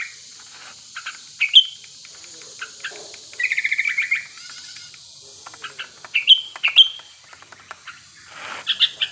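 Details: Sooty-headed bulbul in breeding condition, a lure recording to prompt other birds to sing; scattered short chirps, a buzzy rattled phrase, and bright whistled notes near the end over a steady high hiss.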